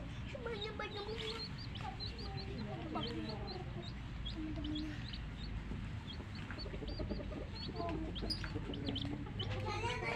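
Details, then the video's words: Coloured baby chicks of a domestic hen keep up a steady chorus of thin, high, downward-slurred peeps, repeated irregularly throughout over a constant low hum. "Hen Baby Chicks, Witty MURGI Baby "Chicks Chirping" Sound"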